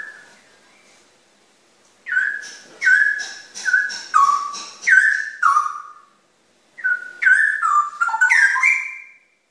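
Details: A straw-headed bulbul, called cucak rawa, begins with a soft whistle, then gives a series of loud, clear, downward-slurred whistled notes, a pause, and another rapid warbled phrase.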